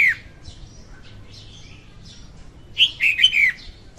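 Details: Female red-whiskered bulbul song recorded without background noise as a trapping lure: a falling note ends one phrase, soft faint chirps follow, then a rich rollicking phrase of several quick whistled slurs.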